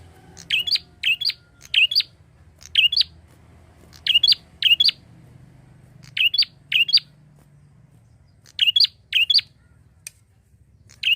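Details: Constantly calling prinia used to lure other birds: a long run of bright, high, scratchy double-note chirps, often in twos or threes close together, about sixteen over the stretch, with a soft low hum underneath.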